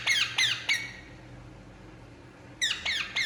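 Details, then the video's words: Indian ringneck parakeet while relaxing: three quick harsh downslurred squawks, a silent gap, then another short cluster of squawks. "Indian Ringneck Parakeet Relaxing And Making Sound"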